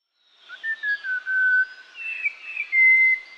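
Song Thrush phrases: clear whistled notes sliding between high pitches, with short emphatic bursts and a longer sustained whistle, in quiet surroundings.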